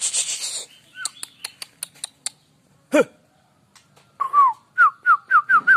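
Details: White-rumped shama, the Aceh form, singing: a burst of sharp clicking notes, then a loud swooping note, then a run of clear whistled notes that fall in pitch, each repeated about every half second.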